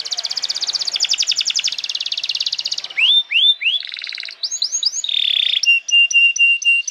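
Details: Lively canary singing, played to train young birds and coax silent ones into song: fast rattling trills, a few rising swoops, a dense buzzy roll, and a series of clipped high piping notes at the end.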